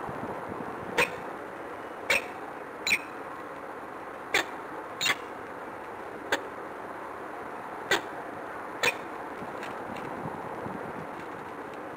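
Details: Steady broadband wind-like hiss and a thin high electronic whine, broken by about ten sharp knocks or clicks at irregular intervals, with no animal calls.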